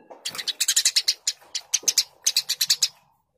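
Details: Eurasian tree sparrow in vigorous song, an almost continuous stream of sharp, evenly spaced chirps with two short breaks, over a soft low hum.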